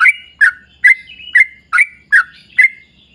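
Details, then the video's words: Sooty-headed bulbul lure song, 'ropel panjang' style: seven rich, bubbly chirps spaced about half a second apart, a few followed by a short whistled glide. "trucukan gacor ROPEL PANJANG buat pancingan trucukan agar bunyi"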